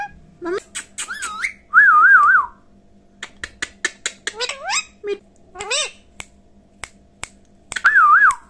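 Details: Talking parrot mimicking speech: wavering, warbled whistles and squeaky syllables in short bursts, with a looping trilled whistle repeated near start and end, plus scattered sharp clicks in a small quiet room.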